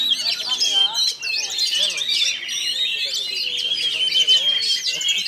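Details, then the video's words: Oriental magpie-robin singing at a bird song contest in Kinali, where it took first place: dense, unbroken high twittering with fast whistled and scratchy phrases, overlapping and continuous throughout. "Suara burung - Kacer"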